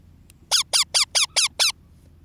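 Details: Baby parrot said to be feeling cold, giving six short squeaky calls in quick succession, each sliding downward in pitch with a bright harmonic edge, about five per second, indoors with a faint low hum behind.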